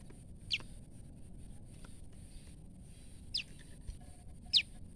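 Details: Frightened female olive-backed tailorbird giving three sharp, high notes that slide steeply downward, spaced one to two seconds apart, over a quiet, low background hum.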